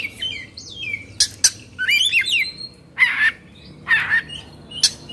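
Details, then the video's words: Excited Indonesian kacer, or Oriental magpie-robin, in 'kongslet' form gives a rapid warbled phrase of twisting whistles mixed with loud harsh squawking bursts about once a second. "Suara Kacer Emosi/Kongslet"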